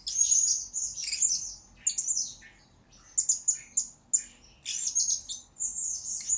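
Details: Blue-crowned hanging parrot heard in a lure-bird training recording, giving piercing, high chattering bursts with scattered single sharp chips between louder strings of squeaky notes.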